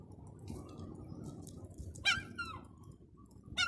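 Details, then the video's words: Seagull making silly noises that are said to be attracting pigeons: two short, harsh, harmonic-rich calls, one near the middle and one at the end, over a steady low rumbling background. "Seagull making silly noises attracting pigeons"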